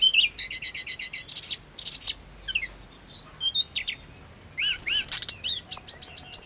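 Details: Hill blue flycatcher song used to make caged birds answer quickly and excitedly: a dense, fast run of high whistled notes, rapid buzzy trills and swooping slurs, with short bursts of repeated chirps.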